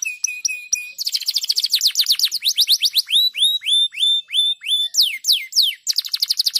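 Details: Stimulating canary song, a continuous varied sequence: a steady trill of short notes, a fast rattling run, then repeated upward-hooked whistled notes and loud descending sweeps, each phrase a series of rapidly repeated syllables.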